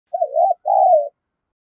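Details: Spotted dove lure bird with a 'giọng đồng pha' voice, used to provoke fighting: a single two-part coo, a wavering low note then a longer smooth one, in clean silence.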